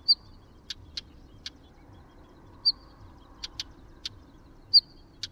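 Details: Northern wheatear calling: a clear high whistle, then two or three hard, ticking clicks in quick succession, the sequence repeated about three times over a quiet, low hum.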